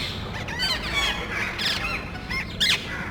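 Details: Group of parrots hunting for nest sites in a residential area, noisy and almost quarrelling; rapid harsh squawking notes with bending pitch, several birds calling over one another, ending in a louder screech.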